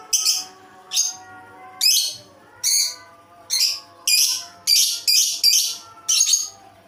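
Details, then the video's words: Strange-sounding lovebird producing a steady series of about ten shrill, scratchy high chirps, some doubled, over faint layered humming tones. "Lovebird dengan suara aneh"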